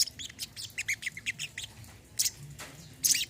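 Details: High, rapid olive-backed sunbird chirps and squeaky twitters, played as therapy for birds that have stopped singing, thinning to a few scattered sharp notes toward the end.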